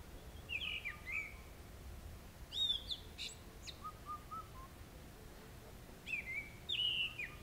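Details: Grey-winged Blackbird calling in summer-monsoon forest of the western Himalaya, Jabbarkhet, India: bright whistled phrases with quick slurs and twittering notes, a lower soft note between them, repeated in separate bursts against a quiet background.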